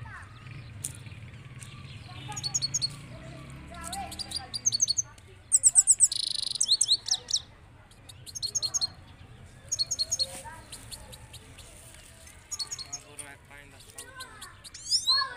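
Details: European goldfinch (saira) giving balkashal song: repeated runs of high, liquid twitters and trills with short pauses, a brief buzzy burst, and faint lower warbling and low hum underneath.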